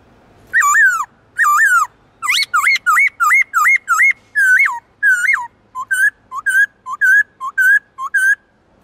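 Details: Black-throated laughingthrush (Garrulax chinensis) singing in many voices, a forest-voice style used to stir wild-caught birds into singing: loud, clear whistled notes, each rising then sharply falling, repeated in quick bursts of about two per second with slight variation.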